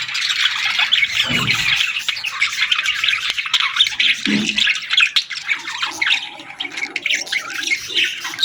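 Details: Young budgies chirping for food: a busy stream of raspy, high chattering squawks from several birds, steady throughout with a few short dull knocks.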